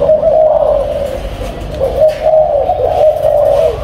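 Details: Captive spotted dove of a breeding pair cooing in two bursts, each of mellow, low hooting notes, with a short pause between them in a quiet indoor setting.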